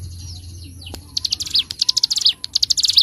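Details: Bar-winged prinia (ciblek gunung) master recording for bird training: after a low hum and a soft click, a fast rattling chatter of high, dry notes with occasional brief downward slurs runs to the end.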